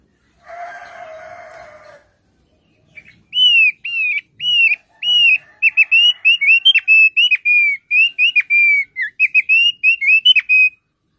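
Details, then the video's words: Thick-billed white-eye (thick-billed heleia) sings a lively run of clear, slurred whistles, about two notes a second, speeding into a chattering burst, after a brief harsh, nasal call. "Suara Opior Paruh Tebal"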